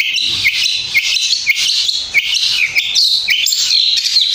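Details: Cendet, or long-tailed shrike, in a fighter-style competition performance, sustained and prominent: a dense, unbroken stream of shrill twittering notes, quick downward slurs and buzzy flourishes repeated rapidly throughout.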